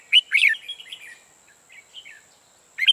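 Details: Red-whiskered bulbul decoy bird for trapping, ché-style singing: a loud, rich tumbling phrase of slurred whistles, trailing off into soft, fluty notes. Another sharp note ends the clip, over a faint constant high whine.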